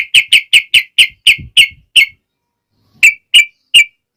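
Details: Yellow-vented bulbul notes used as a lure for reluctant males: eight clear, sharp, whistled chips in quick even succession, a pause of about a second, then three more spaced chips.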